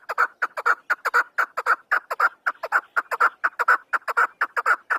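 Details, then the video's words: Afghan chukar partridge, a hunter's bird, giving a rapid, steady run of harsh clucking 'chuk' notes, several per second at a mid pitch, with no other sounds. "chakor ki awaz | chakor bird sound"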